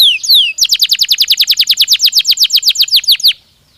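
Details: Singing canary meant to encourage breeding: two quick downward whistled slurs, then an even trill of about twenty sharp repeated notes lasting nearly three seconds before falling silent.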